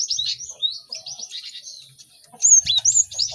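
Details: Cinereous tits chattering in a busy chorus for training caged birds to sing; softer overlapping high chirps at first, then a louder burst of sharp whistled notes near the end.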